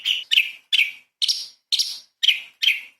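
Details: Light-vented bulbul, known locally as cucak cungkok, singing sharp 'tembakan' phrases used to train magpie-robin songbirds: seven short, harsh, buzzy high bursts about twice a second, with no other sounds.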